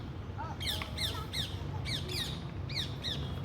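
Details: Harsh, raspy parrot squawks come in a rapid series of about eight calls within three and a half seconds, fairly loud, over a constant low background rumble.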